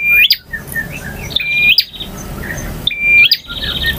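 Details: Long varied song of a male bar-winged prinia: three clear phrases, each a flat piercing whistle flicking sharply upward into a crack and short buzz, with faint scattered chirps in the gaps.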